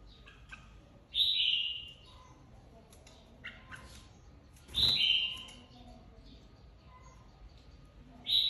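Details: Caged red-whiskered bulbul flock leader, just taken from the aviary, competition-singing: three bright, slurred descending phrases several seconds apart, with sharp clicks and tapping in between.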